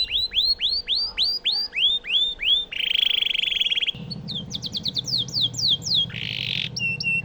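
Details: Canary singing as a training model for White-rumped shamas. Steady arched whistled notes repeat about three per second, then a harsh buzzy burst, a quick string of downslurred notes and another buzz, with a low background hum.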